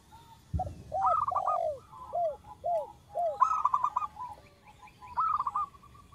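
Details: Soft-voiced local zebra dove singing actively in a lure recording, a female calling a male: a low thump, then rolling trilled coos and four evenly spaced downslurred notes, followed by further quick staccato phrases.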